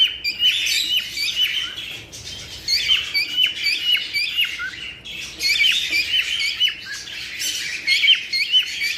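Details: Cockatiels, used to encourage breeding, produce a noisy run of squawks and twittering whistles from many birds, arriving in rhythmic loud pulses throughout.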